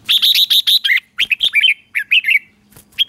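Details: Morning song of a red-whiskered bulbul, played to train caged birds in the intense 'ché' singing style: dense rapid whistled notes, then choppy slurred phrases that rise and fall, with brief gaps between bursts.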